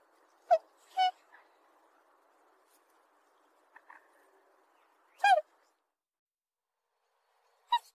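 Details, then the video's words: Black swan calling: short, nasal, harmonic trumpeting notes, a close pair near the start, then isolated notes around five and eight seconds, with a few faint softer notes between them over an otherwise quiet background. "Голоса птиц: чёрный лебедь"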